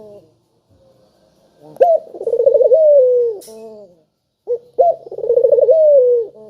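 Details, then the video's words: Spotted dove used as a lure for doves slow to call: two full phrases, each a short high note, a quick rolling trill and a drawn-out descending coo, about three seconds apart. "Burung Puter Gacor Suara Merdu,Tajam Cocok Buat Pancingan Yang Pemalas Bunyi"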